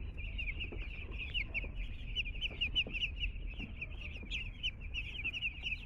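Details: Newly arrived two-day-old chicks calling together: a constant stream of shrill, rapid peeps from many birds at once, accompanied by low background rumble and occasional bumps.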